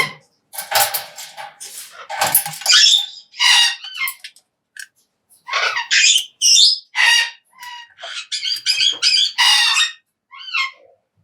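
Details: A Major Mitchell's cockatoo, apparently while eating a high-protein pellet feed, gives a series of harsh, squawky calls and squeaky chatter, some notes rising and falling, in irregular bursts with short pauses.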